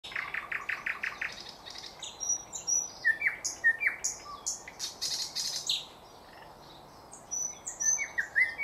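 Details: Thrush nightingale singing in 2024: the song opens with a rapid series of repeated clipped notes, then moves into varied sharp whistles, clicks and rattling phrases, with a short pause near the end before the song resumes.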